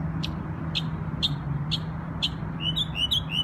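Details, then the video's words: Memorial Day song of a bird in New York: five evenly spaced sharp chips about half a second apart, followed by a quick run of short bright whistles, with a low steady hum in the background. "NY Bird Sings Beautiful Songs on Memorial Day"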